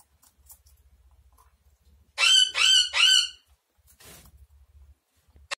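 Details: A blue-fronted amazon gives three nasal, ringing squawks in close succession, each rising then dipping, followed by a brief scratchy rasp, with faint low thumps in a quiet room.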